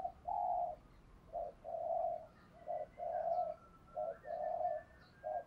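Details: Spotted dove, male and female calls used to stimulate other doves to coo: a series of mellow low coos, short notes alternating with longer hoots, steady and repeated, over faint background hiss and a thin distant whistle.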